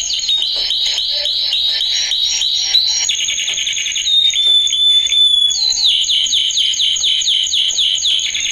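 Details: Loud male canary song used for training: rapid rolling trills change to a pure, long whistled note in the middle, then fast repeated chirping syllables resume, all high-pitched and unbroken.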